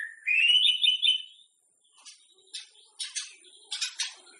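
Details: White-rumped shama singing to spur other shamas before a contest: a bright rising warbled phrase, then a quieter scatter of sharp clicking and chattering notes.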